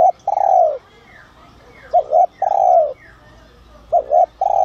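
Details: Spotted dove, a bird of the "son" voice type, calling to draw in other doves, gives mellow low coos: two quick short notes followed by a long falling coo, repeated about every two seconds.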